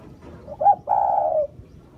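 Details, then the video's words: Spotted dove cooing: a brief, bright upslurred note followed by a drawn-out, level, hollow coo that fades at the close, over a quiet low background rumble. "tiếng chim cu gáy"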